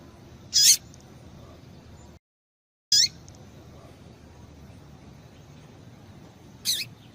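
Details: Calls of a female double-collared seedeater, used to stimulate male birds before singing tournaments; three isolated high, sharp chip notes several seconds apart, with a short dead-silent break early on and a low hum beneath.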